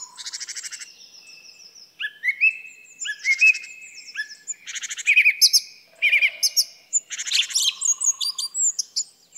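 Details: Song thrush singing a varied run of short phrases: buzzy rattling trills, rising whistled notes and sharp high chirps, several repeated two or three times in quick succession with brief pauses between, over a clean, quiet background.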